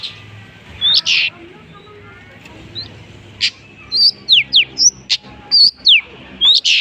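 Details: Long-tailed shrike singing prolifically, mimicking other bird species: scattered high whistled notes, then a busier burst of sharp downslurred whistles and chirps in the second half, with a faint low hum beneath.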